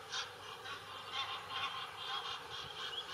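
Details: Egyptian geese (Alopochen aegyptiaca) on the bank of the Main river near Würzburg, Germany, give harsh, hoarse honks in a fast, uneven series, about two a second, against a low background hum.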